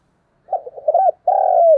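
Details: Spotted dove in fighting-call mode: a quick run of stuttering low notes leads into a long, gravelly drawn-out coo that falls at the end.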